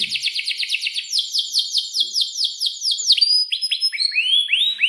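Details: Atlantic canary singing hard, described as a long rolling 'cuit cuit' song used to teach young birds; a chain of about twenty high, down-slurred notes, then faster rising and falling chirps near the end.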